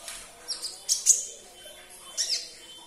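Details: A few thin, very high sunbird chirps and a short twittering burst, played to stir a silent caged bird into singing, with quiet gaps between.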